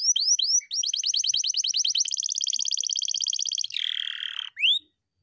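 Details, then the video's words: Canary singing a long, unbroken roll: a few rising whistles lead into a rapid, even trill lasting about three seconds, then a lower rasping roll and one closing upswept whistle. "KENARI GACOR NGEROLL PANJANG"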